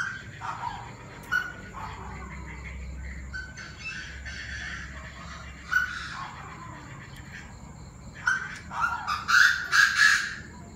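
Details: Evening chorus of Chinese francolins at 7 pm on 9/18, several voices: scattered soft grating notes for eight seconds, then a loud climax of rapid, harsh, rasping phrases near the end over constant low hum.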